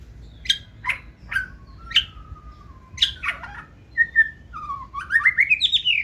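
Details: Caged white-rumped shama singing in a wild forest-style voice, 2024 season bird noted for hopping across perches with tail held high; sharp downward whistles, a long flat whistle, then rising looping phrases building into a quick run.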